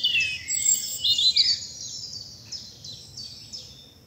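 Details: Spring dawn chorus in the bluebell woods of southern England: bright high trills and quick chirping notes at the start, fading into softer repeated twitters, with a steady faint low background rumble.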